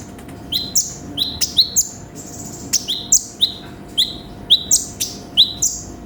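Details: Sunbird (konin) singing with varied inserts as a song-training recording: spaced pairs of very high chip notes, each sliding into a brief level whistle, given at irregular intervals over a low steady hum.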